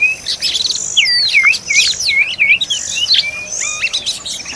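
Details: Oriental magpie-robin at the nest while feeding its young, giving a busy run of looping whistled notes that dip and rise, mixed with thin high squeaks and chirps in a steady, chattering flow.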